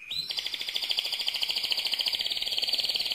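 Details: Loud mosaic canary song: a quick rising whistle opens into a rapid, evenly pulsed trill held at a high steady pitch throughout.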